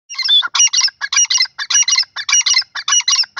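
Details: Grey francolin (teetar) calling loudly: a rapid run of harsh, grating multi-note bursts, about ten in three and a half seconds, evenly spaced with brief gaps, high and bright, with no other sounds.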